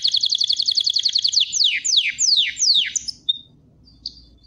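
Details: Canary singing a quick, regular high trill of about twenty notes, followed by four long downward-sweeping whistles and a couple of soft closing notes.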